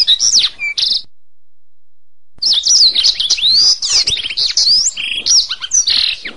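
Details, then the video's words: Canary singing on a masteran tutoring recording: a quick chirpy phrase, a two-second gap, then a rich stream of rolling trills, whistled slurs and buzzy notes. "Masteran Suara Kenari"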